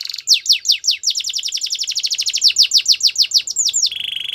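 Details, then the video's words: Canary pouring out rapid falling chirps that speed into a dense run, slow into wider sweeps, and close with a short steady low trill; no other sounds. "All the canaries will sing along after hearing this canary chirp"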